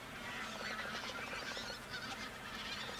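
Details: A large flock of pink-footed geese feeding on left-over grain near Verdal, Norway, in October 2018 keeps up a steady, overlapping chatter of high, nasal honks and wink-wink notes, with no clear break between callers.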